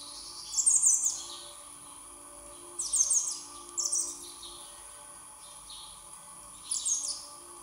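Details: A hungry young common blackbird gives four bursts of thin, very high squeaky calls, with gaps of one to three seconds. A steady high hiss or whine runs underneath.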